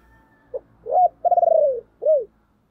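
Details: Spotted dove giving a calling coo meant to stir a decoy bird: a short note, a rising coo, a long pulsed coo sliding downward, then a final falling coo, all low and mellow. Faint softer notes linger beforehand.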